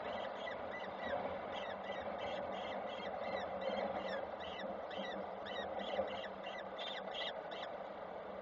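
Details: Falcons at a nest in Koszalin on 7 June 2023, as the male arrives with small prey that is taken and passed on; a steady run of short chittering calls repeats about twice a second over a constant low hum.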